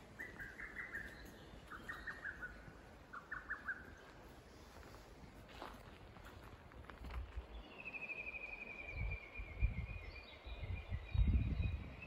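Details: Japanese bush warbler singing in summer at Kamikochi by the clear Azusa River: short clear whistled phrases, then a long rippling high trill, over the steady rush of a stream and a few low thumps.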